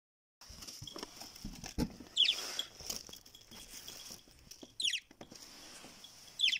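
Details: Pet parrots bred at home, giving short, sharp, high squawks at about two, five and six and a half seconds, separated by a faint low background hiss.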